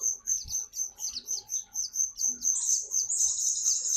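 A white-eye sings a very high, thin run of quick chirps, about two a second, building into a dense twittering warble.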